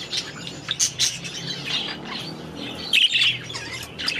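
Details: Several budgies in their aviary giving scratchy squawks and high chirps, irregular and overlapping, with a louder burst of harsh chatter around three seconds in.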